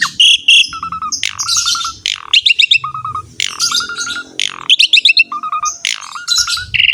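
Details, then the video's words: Asian pied starling singing very actively, recorded as a master song for prompting other birds to sing: rapid, varied phrases mixing sharp high chirps, buzzy bursts and repeated lower whistled triplets, near-continuous with short gaps. "MASTERAN BURUNG JALAK SUREN SUPER GACOR"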